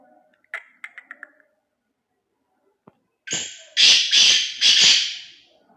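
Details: Black francolin giving a loud, harsh, grating call of four rasping phrases in quick succession, preceded by a few faint short chirps and a quiet pause.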